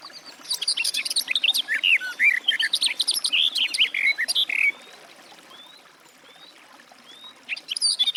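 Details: Garden warbler delivering a long, bubbling warble of quick, varied notes. It then stops, leaving a few thin whistled notes from another bird, before the warbling starts again near the end.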